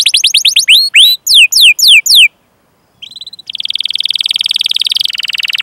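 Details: Canary training song from Indonesia for prompting silent or young canaries: a string of descending chirps, a short pause, then a sustained buzzy rolling trill.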